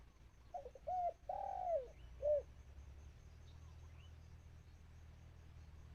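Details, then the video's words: Decoy dove cooing to draw in wild birds: a stuttering double note, a long coo bending downward, one short closing note, then only a low steady drone. "ต่อนก พอนกต่อขันนกป่าก็หนี"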